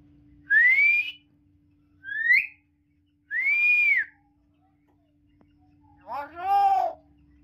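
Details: A pet talking common hill myna gives three loud, clear whistles that rise and bend over, then a hoarse, voice-like phrase imitating human speech; a steady low hum runs underneath.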